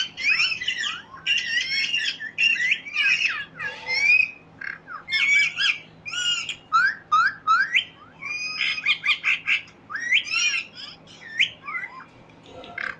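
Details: Parrot squawking and chirping in rapid harsh bursts, broken into choppy groups, with short bent whistles mixed in throughout.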